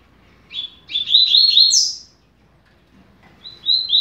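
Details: Double-collared seedeater singing a fast-beaked (rápido de bico) style song used to teach young birds: bright, high, rapid warbled phrases with buzzy slurred notes, a pause of about a second, then a shorter burst of quick repeated notes.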